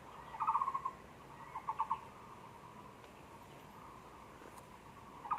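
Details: Zoo-recorded Taiwan barbet, 24 February 2020: one rapid hollow knocking burst, a short softer three-note phrase, then a long quiet gap before another burst begins at the end.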